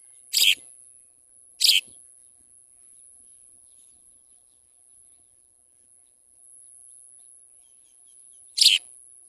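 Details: A house sparrow about to feed its young gives three short, harsh chirps: two about a second apart, then one more after a long pause. A faint, steady high whine runs underneath.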